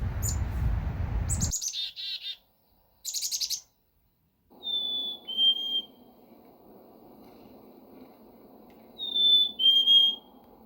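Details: Black-capped Chickadee, an Ottawa-area resident in spring: buzzy, harsh chick-a-dee-dee notes, then two clear whistled fee-bee songs, each dropping in pitch, over a low rumble of noise.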